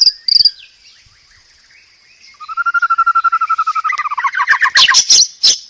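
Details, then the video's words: White-rumped shama master song: a sharp opening note, silence, then a long fast trill of low repeated notes that climbs and breaks into loud high chirps. "burung murai batu paling gacor masteran keras.. dan ampu.."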